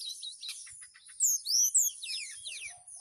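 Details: Flute-like nyuling song of a caged mountain tailorbird from Purworejo, Central Java, calling a female: loud, clear high slurred whistles, falling and rising, over faint chirps and a constant high hiss.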